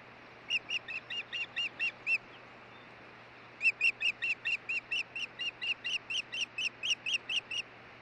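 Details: Osprey calling at the Hellgate nest, Montana, 16 June 2013, during stick delivery and a changeover between the pair: a run of eight piercing whistled chirps, a short pause, then a longer, louder string of about fifteen rapid chirps, with constant background hum.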